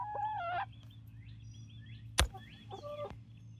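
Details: Barred Rock and Gold Star chickens, a 19-week-old flock of seven in Grimes County, Texas, near Iola: a whistled, falling two-tone call at the start, then faint squeaky notes and a sharp tap, with hum beneath.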